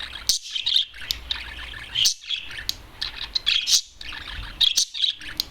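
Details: Adult male budgerigar, a single bird let out of its cage and perched on top of a television, singing a continuous chattering warble of high chirps and scratchy notes, with several sharper squeaks standing out.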